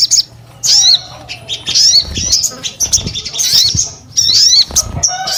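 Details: Sogon, a bird kept for its song, giving loud high whistled notes with fast rising and falling slurs around upper pitches, delivered in bursts separated by short pauses, with faint low background noise.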